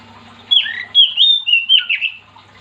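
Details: Oriental magpie-robin in lively gacor song, used to make other magpie-robins join in singing: loud, clear whistled phrases sliding up and down, five or six quick notes strung together over two seconds, with a faint low hum behind.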